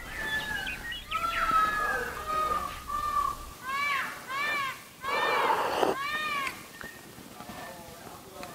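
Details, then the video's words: Indian peafowl at Gorumara National Park, West Bengal, in February, heard from a nature camp where a peacock roamed in the distance: loud, nasal, arching wails in quick bursts of three or four, with a man talking softly at first. "শুনতে পাচ্ছেন? সব কিন্তু ময়ূরে ডাকছে।"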